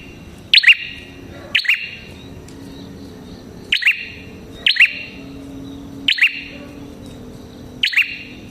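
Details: Lively prinia, known locally as red-headed prenjak, used as lure song for prinias: crisp two-part chirps, high then slightly lower and buzzy, given in irregular spaced bursts, six in all, with faint low background noise.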